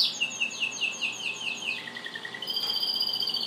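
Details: Yellow canary with its chicks, giving a run of quick high chirped notes followed by a lower steady whistled tone and then a sustained high buzzy trill.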